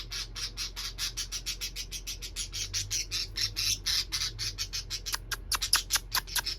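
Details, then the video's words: Two parakeets chattering happily together in the evening, a dense, nearly continuous run of harsh squawks and chirps, several per second, loud and unbroken to the end. "My parakeet pair making noises happily this evening."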